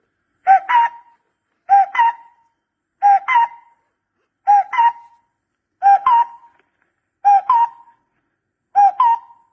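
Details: Barbet calls recorded for use as a decoy: a clean series of two-part notes, a low hooting note followed by a sharper higher one, repeated about every 1.3 seconds against a silent background.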